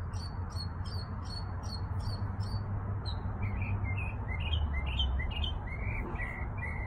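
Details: Singing in a backyard: a fast series of thin, high repeated chirps, followed by lower, warbling slurred notes rising and falling, with a low steady hum underneath.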